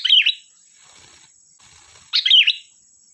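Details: Kutilang (sooty-headed bulbul) lure song to set other birds singing: two rich bubbly phrases about two seconds apart, separated by soft rustling, over a faint high electronic tone.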